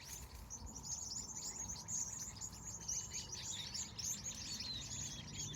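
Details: A California sunset bird chorus of busy, high-pitched tweets and short trills running together without pause, with a light rumble underneath.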